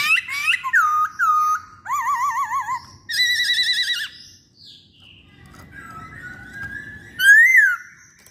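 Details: Masked laughingthrush song of curving whistles, then trilled wavering phrases with a vibrato quality, a quiet pause with low murmur, and a final loud rising-falling whistled note.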